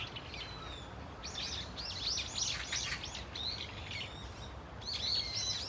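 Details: In a flock at Dunsan Grand Park, Brown-eared Bulbuls produce rapid runs of shrill, bending squeals in clusters, with fainter thin notes between and a quiet low noise bed.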